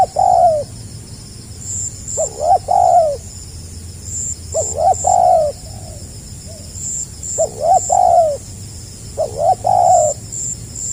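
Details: Rhythmic 'gagap rapat selang nguku' coos of a spotted dove (tekukur), 2020: five phrases, each clipped stuttering notes plus a longer hollow coo, repeated every two to three seconds, with quiet high-pitched chirping behind.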